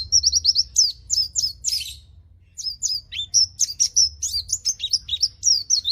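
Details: Caged white-eye in lively song, used as a training recording to coax quiet white-eyes into singing: rapid high sweeping whistled notes in chattering runs, a brief pause near the middle, then more varied twittering phrases.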